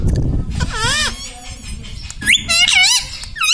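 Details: Domestic Indian ringneck parrot that talks, saying mummy, papa and radhe radhe, utters wavy, tonal syllables over a low rumbling background, a quick run of bent notes toward the end.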